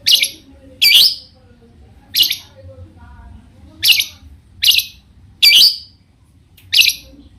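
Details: Long-tailed shrike singing to make other shrikes respond: harsh high notes spaced irregularly about a second apart, some doubled, with faint soft chirps and a low murmur in the gaps.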